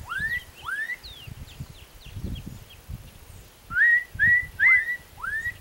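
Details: Singing black-capped donacobius giving rising whistled notes, first two moderate upslurs, a pause with faint higher chirps and low rumbling, then four louder rapid upward whistles in quick succession.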